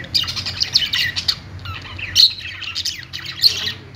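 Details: Budgie giving clusters of thin high chirps and whistled notes, broken by short pauses, with two louder sharp peaks later on.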